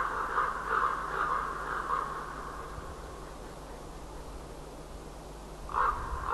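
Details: At daybreak on 5 March 2012, ravens call to one another: a cluster of four or five rough caws at the start, a long pause, then another harsh call near the end, with a constant background hiss.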